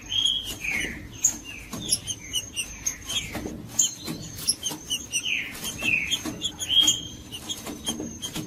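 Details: Whistled song of a green-winged saltator, for warming up a cold bird: rich downslurred notes in short phrases, louder near the start and middle, over steady high-pitched clicking.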